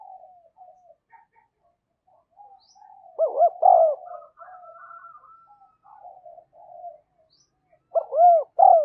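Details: Decoy spotted dove cooing to draw wild doves in: low mellow arched notes come in two clear bursts several seconds apart, with quieter drawn-out murmurs and faint whistles between them.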